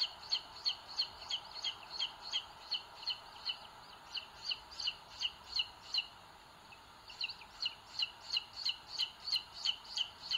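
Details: Live webcam at a booted eagle nest in Sierra de Guadarrama National Park, Spain, 2022, where one chick pecks its smaller nestmate; high double peeps repeat about three a second, pause briefly, then resume.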